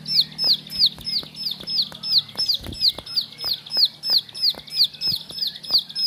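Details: Bar-winged prinia kept as a home songbird, singing a steady series of high, downslurred whistled notes, about three per second, with faint clicking sounds in the background.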